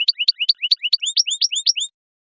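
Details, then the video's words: Goldfinch song, a quick string of rising, slurred high notes, first alternating pairs and then higher upswept whistles, ending abruptly with silence after. "Song of the Goldfinch"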